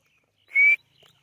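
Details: A white-variety grey francolin (teetar) gives a single loud, shrill whistled note that rises slightly and lasts about a quarter-second, followed by faint rustling.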